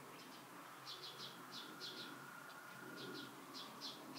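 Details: Western yellow wagtail in a nature reserve near Rheindürkheim, Germany, on the evening of 16 April 2019, giving thin, high chirps, often in quick pairs, over a steady background hiss and faint drone.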